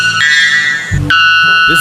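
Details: White Bellbird giving two loud, ringing metallic notes, the second slightly lower and held steady, like an alarm bell or alarm clock; background music plays faintly.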